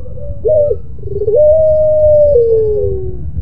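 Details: Loud melodious crying coo of a pelung Barbary dove: a short bending note, brief pause, then one very long steady tone that slides gently downward near its close, against a low hum.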